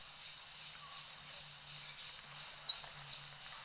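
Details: Pygmy Cupwing, also called Pygmy Wren-babbler, calling on Fraser's Hill, Malaysia: two thin, high, level whistles about two seconds apart, the second a little lower in pitch than the first, over a quiet background.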